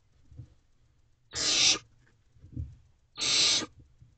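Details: Barn owl owlet in a nest box at 2:37 am on 17 May 2023, displaying its wings. Two harsh, broadband hissing screeches about two seconds apart, each roughly half a second long, with faint low thumps between.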